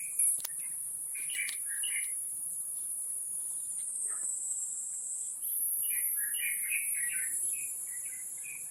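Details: Wild Taiwan Blue Magpie feeding nestlings at Taipei Zoo on 7 May 2022 around 11:43; a few chirps early, then a dense run of quick chirping notes in the second half, under loud continuous insect buzzing.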